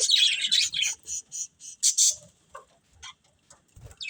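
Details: Pet budgerigars in a family group giving a burst of raspy chirps, then separate short tweets with gaps of silence and a few soft clicks toward the end.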